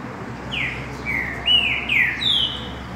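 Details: Green-winged saltator delivering a mateiro-style song phrase: five loud whistled notes in about two seconds, alternating falling and level slurs, the last one highest and sustained, against quiet steady hiss.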